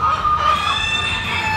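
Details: A rooster at a local fair's South Florida poultry show and animal auction gives a drawn-out, strained crow with a steady middle that sags slightly toward the end, against a busy barn of other poultry.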